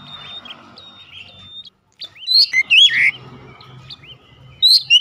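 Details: Oriental magpie-robin singing a lure song meant to provoke rivals, with sliding whistles, sharp rising chirps and a buzzy burst after a short pause, over faint low background rumble.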